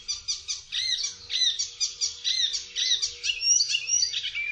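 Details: Icterine warbler delivering rhythmic bursts of high, squeaky notes, phrases repeated in quick series and laced with thin rising whistles.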